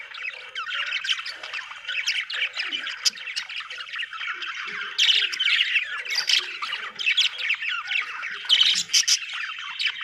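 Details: Budgerigars, Australian birds, keep up a steady stream of scratchy chatter and squawks, several voices layered with rhythmic bursts of louder squeaks.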